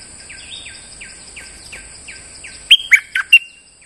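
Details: Lure song of a bulbul in moult: faint distant falling notes repeat rapidly, then a loud close phrase of four sharp whistled notes bursts in; a high steady hum continues throughout.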